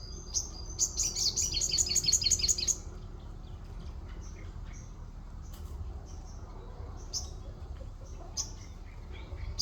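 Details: Orange-spotted bulbul delivering 'wit wit' filler phrases like a white-eye: a fast, even chain of high sweet chirps lasting about two seconds, followed by scattered short high tweets over a faint low hum.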